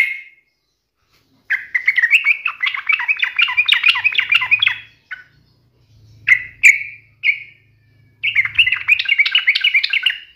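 Yellow-vented bulbul giving long bursts of bubbly, chattering notes around mid-high pitch, separated by short sharp chirps, with a faint low hum beneath.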